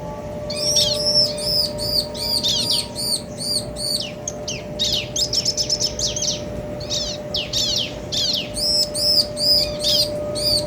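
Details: Male and female bar-winged prinias trading phrases to excite other birds: long rapid series of high arched chips, then clusters of harsh downslurred notes, then more quick chips, with steady low hum behind.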